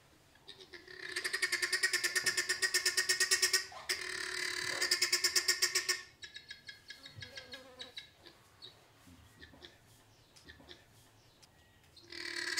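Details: Guineafowl in Mashatu Game Reserve, Botswana, give a harsh, rapid rattling alarm, a loud grating chatter of clipped notes; these noisy, gregarious birds alarm-call constantly even when nothing seems to be alarming them.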